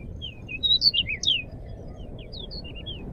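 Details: Crescent-chested babbler singing energetically, a recording used as a lure and tutor for cage birds: a burst of varied short, high chirps and slurred whistles, then sparser notes later, over low background noise.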